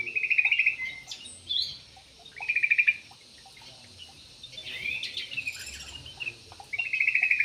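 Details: Javan pied starling song of harsh, buzzy rattling bursts repeated every few seconds, mixed with high squeaky chatter and short whistles.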